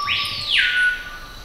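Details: A screaming piha in Bolivian rainforest at Sadiri Lodge, Madidi National Park, gives a loud, ringing whistle that swells upward, then settles into a long, steady high note; males sing together competing to show fitness to females.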